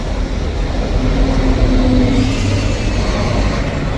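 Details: Loud rumbling rail-like noise with a low steady hum runs throughout, and no animal calls can be picked out.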